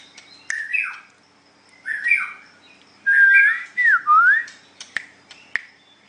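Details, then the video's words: White-rumped shama, known locally as murai batu, in a singing contest, giving hoarse downslurred phrases, then loud pure whistles bending up and down, ending with sharp ticking clicks. "Cara Mengadu kekuatan Ocehan Burung Murai batu white rumped shama"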